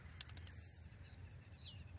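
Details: Caged male blue-black grassquit (tiziu) from Pernambuco, a champion singer: a quick run of very high ticks leads into one sharp, buzzy note that drops in pitch, then a fainter falling echo of it.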